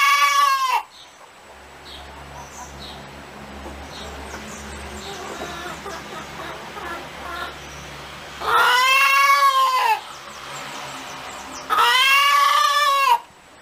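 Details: [1, 'yes', 'cackling calls', 'Chicken cackling: two loud, drawn-out harmonic squawks, one at the start and another after a long pause, then a third at the end, over a low steady hum.']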